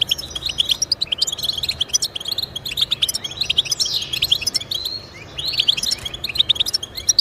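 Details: European goldfinch song played to encourage pet goldfinches to sing: fast, liquid twittering of high chirps and trills in bursts, with a brief pause near the five-second mark before the chattering resumes.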